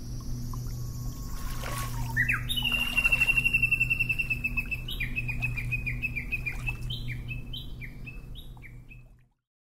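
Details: A Siberian rubythroat sings in Hokkaido coastal grassland in early summer (May–June breeding season): a varied, scratchy warble, then a rapid series of short rising whistled notes, over a steady low hum.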